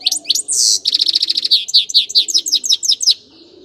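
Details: Sweet, rapid twittering from a grey-crowned goldfinch: a harsh buzz, then a fast trill of high repeated notes, then a string of descending chirps that fades out at the end.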